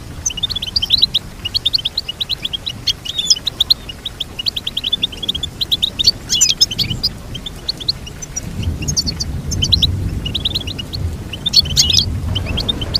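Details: Long, continuous twittering goldfinch song of rapid high chirps and trills, with louder tangled bursts at intervals and a low rumbling background rising in the second half.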